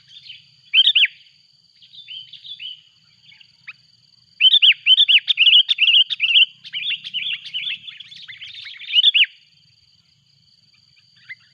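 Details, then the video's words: Lure recording of a sooty-headed bulbul calling noisily as a rival draws near: a loud double note, short phrases, then a long rapid series of bright, bubbly whistled notes, about two a second, over faint hiss. "Suara buRung kutilang ribut memanggil!!!! lawan pun datang."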